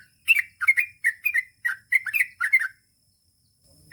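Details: Sooty-headed bulbul giving a fast gacor ropel sequence of paired, rolling chirps that rise and fall, about eight bursts packed into two and a half seconds, then quiet.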